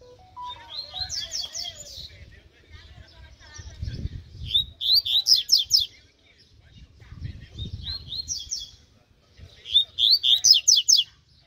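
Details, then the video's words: Mutant-coloured Double-collared Seedeater during a song training session, singing four bursts of rapid, high, buzzy trilled notes separated by short pauses of a second or two, with faint low murmuring sounds in the background. "COLEIRO MUTANTE UM TREINO"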